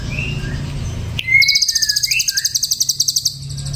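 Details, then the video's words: Ashy drongo singing after a doping supplement: soft whistles, then a sudden sharp note opening a rapid run of evenly pulsed high clicks with slurred whistles beneath. "SRIGUNTING ABU KENA DOPING PRODUK SEREM"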